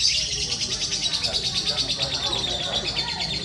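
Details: Lovebirds competing in the adult lovebird class at a bird-singing contest in Putat Kidul. A long, unbroken, rapid high-pitched chattering trill runs without pause throughout. Steady background crowd murmur fills the low range.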